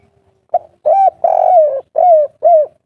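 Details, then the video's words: Spotted dove giving a loud, deep three-part style local call used as a lure to make other doves answer; a run of five low mellow coos, the middle one drawn out and falling. "suara burung derkuku kuk3 gacor suara besar manjur untuk pancingan langsung nyaut"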